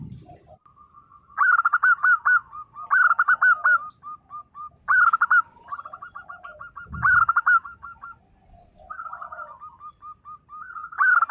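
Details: Lively local zebra dove delivering 'nembak' song meant to set mute birds calling: five loud clipped bursts of rapid notes, each trailing into a rhythmic train of soft hooked coos.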